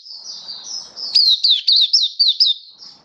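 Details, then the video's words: Cage-kept Oriental white-eye in open song, 27 October 2022. A soft high warble leads into six crisp, high, falling chirps spaced evenly, then fades. "Mata Puteh Kitaro Buka Sing"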